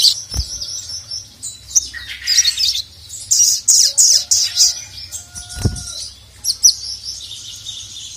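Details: Ruby-cheeked sunbird (sogon) calling the male, a lively bird used for tutoring other birds: thin, very high chirps and short trills in irregular bursts, a sudden rustle or knock near the middle.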